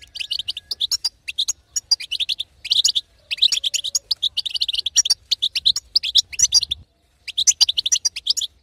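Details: Female European goldfinch giving its batbata chatter, used to stir a silent male goldfinch into singing: rapid bright twittering bursts in quick runs, broken by short pauses and a near-silent gap late on.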